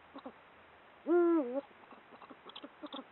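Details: A single deep, booming hoot from a male Eurasian eagle-owl in breeding season, swelling and briefly held, over faint soft murmurs; it hoots from perches to mark territory and to call its mate.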